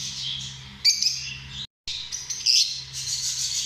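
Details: Shrill, squeaky lovebird chatter with two loud sharp chirp bursts, broken by a short silent gap just before the two-second mark, with a faint low hum beneath.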